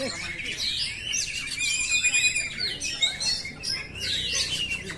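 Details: Song of an oriental magpie-robin, used to train caged birds, made of bright whistles, a sustained level tone in the middle and rapid slurred upward sweeps, all layered into a busy continuous stream.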